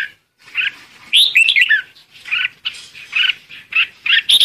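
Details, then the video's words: Red-whiskered bulbul calling the flock, a busy series of bright warbled and chirped notes in quick bursts, with several overlapping phrases and a faint hiss behind. "Chim chào mào gọi đàn: Tiếng hót khiến bạn sững sờ"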